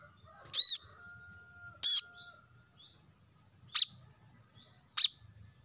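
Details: Plain-throated sunbird, called kolibri kelapa or wiceh, in a recording meant to get caged birds singing: four loud, high, ringing chirps spread over several seconds, with a steady thin whistle held between the first two.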